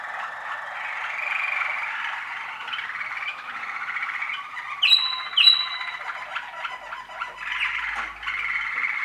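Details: Young Waterslager canary from 2013 singing a long continuous rolling, bubbling song, broken midway by two sharp high whistled notes, then resuming its trilled flow.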